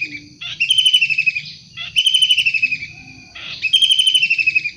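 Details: Harsh, grating pulsed screeches from an active wild long-tailed shrike, three bursts roughly every one and a half seconds, set against a thin continuous high drone and faint low tones.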